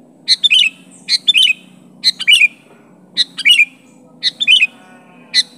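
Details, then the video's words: Sooty-headed bulbul calling to press a rival, its own voice without fill-in phrases: five well-spaced bursts of chattering chirps ending in falling twangs, about one per second, quiet gaps between. "Suara Burung Kutilang Gacor Memanggil Lawan Asli tanpa Isian Menekan lawan"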